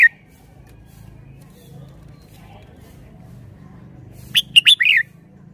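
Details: Red-whiskered bulbul, its song praised for good phrasing and style. After a long quiet stretch with a faint low hum, one rapid phrase of sharp chirps ends in a rising-falling whistled slur.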